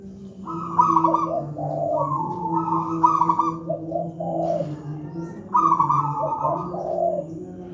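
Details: Local wild-type zebra dove with a big, thick, deep voice, cooing persistently as a master recording for young doves that do not sing yet: rich rolling coos in repeated phrases over a steady low hum.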